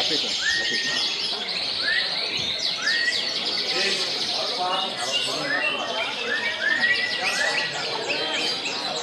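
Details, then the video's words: Several canaries singing at a bird-song contest in Pasuruan, Indonesia, in a dense, bright chorus of rapid twittering trills and rising chirps, with faint voices of people underneath. "PESTANYA KENARI , LOMBA Burung Berkicau"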